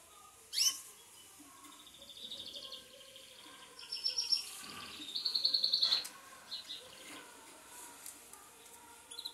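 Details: Belgian canaries kept as pets, sunbathing; scattered high chirps, then a fast, even trill of rapidly repeated notes, with quieter twittering before and after.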